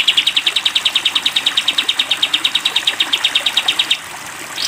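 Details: Sooty-headed bulbul, masteran training sound for cage birds in the long 'tembak' style: a continuous rapid, bright, high trill of evenly repeated pulses for four seconds, stopping abruptly before a faint rising note.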